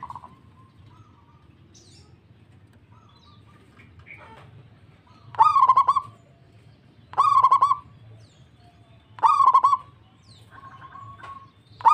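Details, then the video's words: Local zebra dove answering another dove in full song: short bursts of staccato, stuttering mid-pitched coos, three phrases roughly two seconds apart after a quiet opening with faint soft notes and a low background rumble. "PERKUTUT LANGSUNG NYAHUT PERKUTUT LOKAL GACOR DOR DOR DOR"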